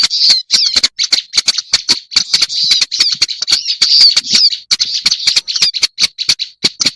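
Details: Lure recording of a black-browed reed warbler: a steady, rasping high-pitched chatter with sharp rhythmic clicks and a few whistled slurs, interrupted by short gaps.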